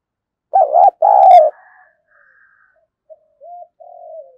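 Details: Decoy spotted dove giving a thunder-voiced phrase: two loud, harsh coos close together, a hush, then a few soft notes and a quiet drawn-out coo that slides downward.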